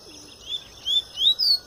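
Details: Double-collared seedeater, a bird coming out of moult, singing the pure Tui Tui song style: a few short high whistled notes, each rising or bending, spaced about a third of a second apart, with a quiet background.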